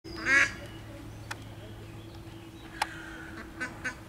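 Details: A female Mallard in Łazienki Królewskie park on 4 May 2023 gives one loud, harsh quack, then a few faint short calls over a steady low hum. She is desperately calling her ducklings, which are trapped in a deep tree hollow.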